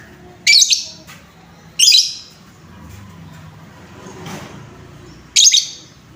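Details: Lovebird lure sound for rousing other lovebirds: three shrill, rasping squawks roughly one to three and a half seconds apart over a low steady background rumble.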